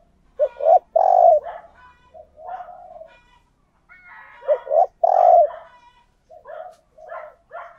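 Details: Spotted dove used as a lure, cooing: two strong phrases, each of short deep notes ending in a long resonant coo, with softer trailing notes and faint extra calls.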